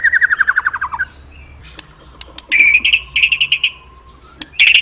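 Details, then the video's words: Murai song meant for luring pet birds: a fast descending series of clear notes, a thin long whistle, then a buzzy repeated trill and sharp chips. "Suara birung murai mantap&ampuh"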